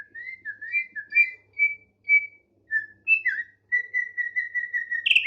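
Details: Varied song from a tame thick-billed heleia: slurred whistles that rise and fall, a few higher sharp notes, then a fast even trill of repeated whistled notes, ending with a short knock.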